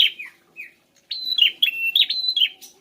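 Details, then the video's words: Prinia song used to coax a ceplier bird into calling back: a couple of soft opening notes, a brief silence, then a quick string of high, bright chirps. "10 detik burung CEPLIER PASTI nyaut dengar kicauan burung prenjak ini"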